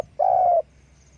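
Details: A single long, smooth, low croo from a spotted dove that is calling with wing flapping, lasting under half a second in a quiet setting.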